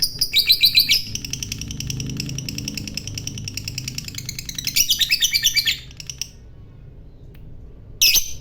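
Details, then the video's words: Lovebird delivering 'ngekek' chatter meant to set rival lovebirds singing: a rapid, rattling run of buzzy high notes with a low room hum, a second dense burst, a pause, then one final harsh squawk. "SUARANYA Sukses Bikin Lovebird Lawan Ikut Bunyi Ngekek,Burung Lovebird Gacor ngekek Panjang"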